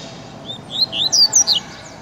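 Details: Tiziu-style song from a double-collared seedeater (coleiro): a rapid series of about six piercing, slurred whistles climbing and dropping in pitch, lasting under a second, with low steady hiss behind.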